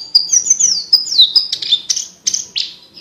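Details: Energetic Javan bush lark song for tutoring competition birds, a continuous stream of high, crystal-clear whistles, falling slurs and short buzzy bursts packed closely together over three seconds.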